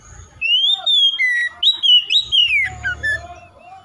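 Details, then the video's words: Oriental magpie-robin (kacer) song, played to prompt a lazy kacer to respond and sing: a run of loud clear whistled notes, rising and falling between phrases for about three seconds, with a faint low hum underneath. "SEKALI MENDENGAR SECEPATNYA KACER MALAS BUNYI RESPON IKUTAN GACOR"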